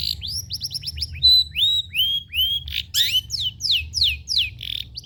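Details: Long-tailed shrike singing, used as a lure and tutor song for captive shrikes: fast rising whistles, one held steady whistle, then a string of bright descending slurred notes.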